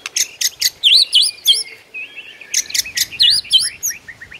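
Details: White-rumped shama in the morning giving a rich, mimicry-filled song: quick repeated sequences of harsh notes and bright looping whistles, each phrase repeated twice in close succession.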